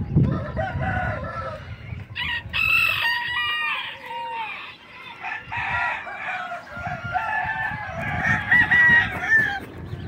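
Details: A bantam rooster gives a long, wavering crow of stacked nasal tones, with short breaks and clucks between phrases, then a second strained crow ending on a bright, held note.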